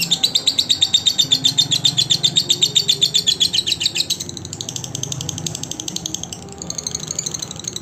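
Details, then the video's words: Master recording of a lovebird for tutoring other lovebirds: rapid, high, twittering chatter at about four notes per second, loud and regular at first, then a softer, denser scratchy stretch before the shrill chatter resumes. "SUARA BURUNG LOVE BIRD COCOK UNTUK MASTERAN SEMUA BURUNG LOVE BIRD"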